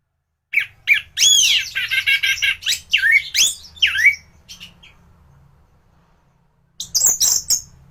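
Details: A thrush singing for use as a training recording for other birds: harsh, squawky, buzzy phrases with sweeping slurred notes, a near-silent gap, then high rapid chatter.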